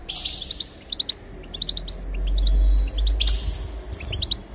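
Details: Goldfinch song for stimulating singing: scattered high chirps and twittered clusters, broken by a low rumbling hum near the middle.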